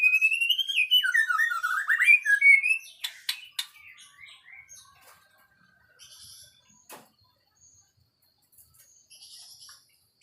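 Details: White-rumped shama song: loud, rich whistled phrases swooping down and up for the first three seconds, then sharp clicks and fainter scattered chirps, with soft high twittering fading toward the end.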